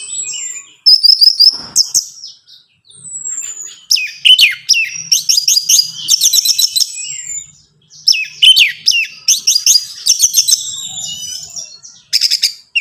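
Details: Orange-headed thrush song used to coax a caged bird into singing; long run of varied whistles, buzzy trills and sliding notes in dense bursts, with brief gaps between phrases.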